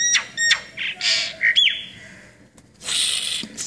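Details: Brahminy starling uttering sharp clicks, a twanging rising-and-falling harmonic note, then a long harsh, wheezy rasp after a short pause.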